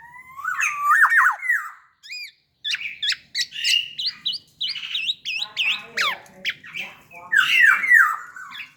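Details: Tame black-naped oriole, raised by hand feeding, in loud varied song: mellow looping whistles followed by a rapid string of higher, sharper chips and twitters.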